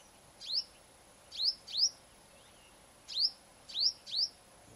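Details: Female purple-rumped sunbird singing in the morning at a home, giving six sharp, thin, high chips, each a quick upward flick, spaced irregularly in loose pairs over a soft background hiss.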